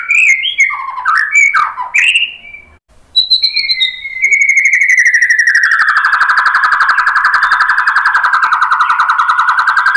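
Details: White-rumped shama song used as a lure to provoke another bird into singing: varied whistled phrases at first, then after a short gap a long sustained buzzy trill held at steady pitch to the end.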